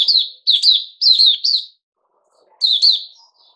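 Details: Puteh Raja bulbul kept as a cage bird, given fruit juice, a mealworm and a health drink, dated 08-05-2021: four loud, bubbly, down-slurred warbled phrases in quick succession, a pause, then one more phrase.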